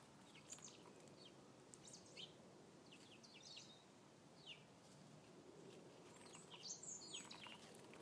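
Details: European robin in the UK: faint, scattered high thin phrases of rising and falling sweeps with varied pitch. A brighter, sharper cluster of notes comes near the end, over a steady low background hiss.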